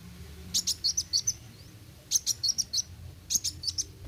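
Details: A sunbird called kolibri wuling sings vigorously in 'roll tembak' style: two fast bursts of about six high, sharp ticks each, then a shorter run starting, with a quiet low rumble underneath.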